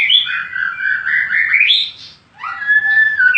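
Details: White-rumped shama, a Medan fighter bird, giving long clear whistled notes that wander and rise, a brief pause, then another sustained whistled phrase.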